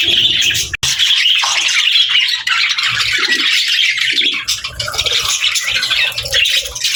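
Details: Budgerigars squawk and chirp in a dense chorus of scratchy, high chattering notes, with a sharp click early on and occasional low thumps beneath the birds.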